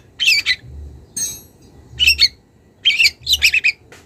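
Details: Young wild long-tailed shrike calling a rival: four short, separate bursts of harsh, twittering notes, spaced roughly a second apart, with a faint low hum.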